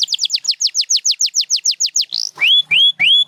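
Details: Canary song from champion Gloster and Spanish Timbrado birds used for training: a rapid run of falling whistled notes, a short buzzy burst, then three loud upward-sweeping whistles.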